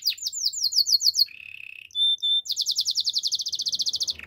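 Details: Belgian canary singing in the morning: a fast series of descending sweeping notes, then a steady buzzy trill, two clear pure whistled tones, and a long rapid run of repeated bright notes, about three or four per second, high-pitched and loud.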